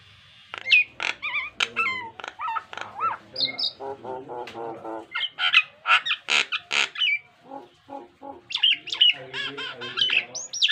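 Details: Nias hill myna, male, pouring out a rich mimicking song meant for pet birds to copy: rapid harsh chatter, pure rising and falling whistles, and loud squeaky calls in close sequence.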